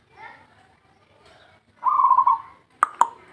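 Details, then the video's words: Local zebra dove call for luring: faint voices at first, then one loud rolling coo of quick pulses at a steady pitch, ending with two sharp clicks. "SUARA PERKUTUT LOKAL"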